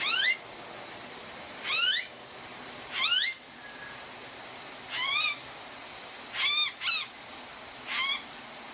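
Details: Blue-faced honeyeater, Australia, uttering a series of loud, grating, upward-sweeping squawks spaced about one to two seconds apart, two given in quick succession near the end, against constant hiss.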